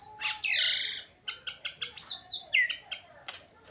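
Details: White-rumped shama giving a loud, harsh opening note followed by a quick series of short, clipped whistles and chirps.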